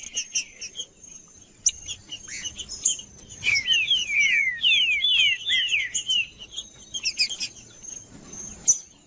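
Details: Green-winged saltator 'macheando' song, aimed at warming up other saltators: scattered chirps, then a rapid run of about five repeated down-slurred whistles, trailing into softer notes and a thin steady high tone.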